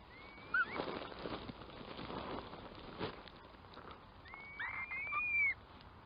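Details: Curlew, with several rising whistled calls: one short slur near the start, then a longer upward-sliding whistle with a slight waver late in the clip, over a soft rustling outdoor background.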